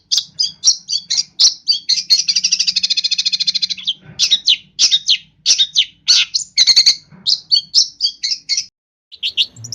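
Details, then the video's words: Vigorous varied song of a long-tailed shrike from East Java: jumbled sharp chirps, a long dry buzzy rattle in the middle, then more rapid mixed notes and whistles before a brief pause. "Burung Pentet Gacor Full Isian"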